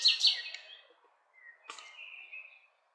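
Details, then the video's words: Short burst of a nightingale's loud high trill, then a pause, a sharp click and a long steady whistled note. "Cantec de privighetoare - Nightingale's song"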